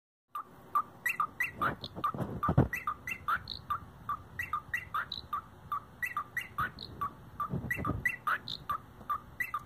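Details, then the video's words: A male pet cockatiel imitates a 90s rave techno beat with a quick, bouncy run of short clear whistled notes, over two a second; a few low thumps are also heard. "European Techno Birb"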